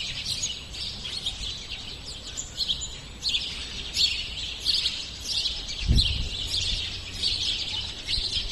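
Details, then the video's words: Sparrows singing as a group: dense, overlapping high chirps and tweets run without a break, with a steady low rumble and a brief thump near the sixth second. "Som de Pardais ┃Pardais Cantando"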